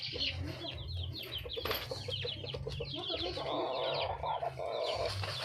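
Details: A wild red junglefowl hen calls for a mate: low clucks and a harsh, rasping burst late in the clip, mixed with continuous high descending chirps and a low background drone.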